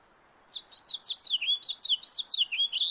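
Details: House finch singing in a backyard: a lively warbled phrase of rapid, slurred up-and-down notes, starting after half a second and running steadily to the end, bright and high-pitched with little background noise.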